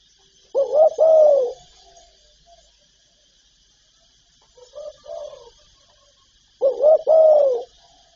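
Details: Spotted dove calling, one of several cooing and urging styles: a double coo with a drawn-out falling note, a faint soft echo near the middle, then the same emphatic phrase repeated.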